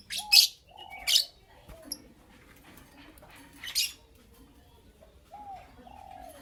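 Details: Morning chirping from Creamino and Lutino Opaline lovebirds: loud scratchy high chirps in quick pairs, then another after a pause, mixed with soft arched whistled notes.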